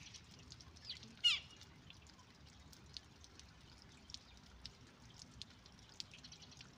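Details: A Western jackdaw chick being fed by its parent gives one loud, harsh, rasping begging call lasting a fraction of a second, with faint scattered clicks and ticks before and after; Western jackdaw.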